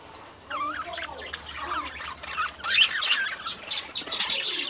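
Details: Within a breeding colony, budgerigars give wavering warbles and harsh squawks, the overlapping chatter growing louder midway through.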